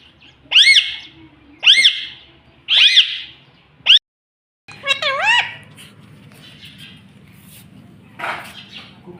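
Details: Pet talking parrot repeating a shrill, arched call four times at roughly one-second intervals. It then gives a wavering, speech-like phrase, followed by a low hum and a faint later squawk.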